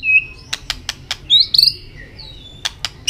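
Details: Contest-singing white-rumped shama flicking its tail: a brief high whistle, a string of sharp clicks, a quick warbled phrase, then a long thin whistle and more clicks.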